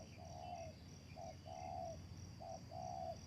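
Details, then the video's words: Spotted dove calling as a trapping lure: low, mellow cooing notes in short-then-long pairs, five coos in about three seconds, over a steady high insect drone and low rumbling background. "The Sound Of Spotted Dove is good,Bẫy cu gáy bằng mồi trồn,เสียงนกเขาใหญ่,Suara Terkukur Pikat Tua"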